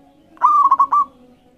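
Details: Zebra dove of local stock, its song used to start other birds singing: one mellow rolling phrase, a long coo then three quick clipped notes, clear against low background hum.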